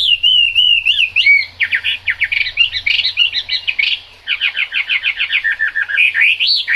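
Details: Chinese hwamei singing in the rain: a long wavering whistle opens, then bursts of quick slurred notes tumble in rapid, uneven runs, pausing briefly before another fast chattering series and a final rising whistle.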